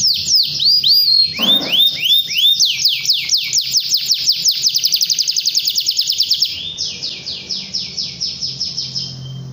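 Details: Canary song calling a rival, used to stimulate young canaries: loud, continuous high trilled rolls of rapid down-slurred notes, accelerating into a fast chatter before shifting to a slower series of sweeping whistled notes.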